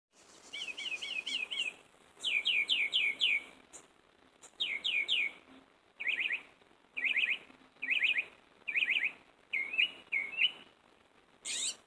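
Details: Northern mockingbird singing from a tree in the early morning after a full night of singing; varied phrases of rapid slurred notes, each repeated three to five times in bursts, then switching to new motifs, with brief pauses between.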